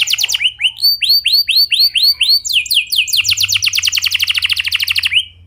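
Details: Lure song of a clear-voiced rolling canary: a series of slow looping whistled notes about five per second, followed by a dense rapid trill of short high notes that fades at the end.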